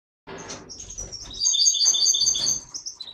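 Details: Captive pair of mutated European goldfinches, a satiné male carrying white-head and a yellow parva female, kept in an aviary. Bright high twittering notes, with a dense run of rapid trills in the middle and faint handling noise below.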